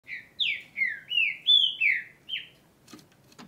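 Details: A territorial Green-winged saltator sings in breeding and tournament season: a rich phrase of six loud, slurred whistles, alternately rising and falling, ending with two faint clicks.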